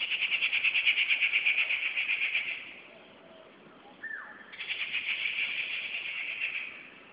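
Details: Rufous treepie giving loud, harsh, rapidly pulsed rattling calls in two long bursts of about two seconds each, separated by a pause holding a single short downslurred note.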